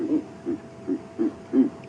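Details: A pair of Verreaux's eagle-owls at sunrise, about 9 °C, duet, calling to each other: deep, soft grunting hoots, five in under two seconds, evenly spaced about every third of a second, in a quiet background.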